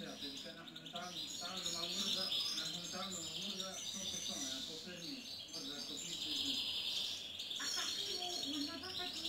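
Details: European goldfinch song: a dense, unbroken twittering of rapid high chirps, trills and buzzy notes that runs throughout, with a low human voice murmuring underneath.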